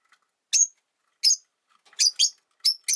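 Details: Three Rosy-faced lovebirds newly sharing a single cage, one disliking the new arrival: scattered shrill chirps, single at first, then a quick double and more notes toward the end.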